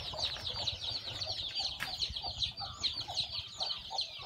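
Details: Freshly hatched chicks from a hen's clutch on a farm cheep in a busy, high-pitched chorus of short slurred notes. Faint lower clucking and a brief rustle come midway.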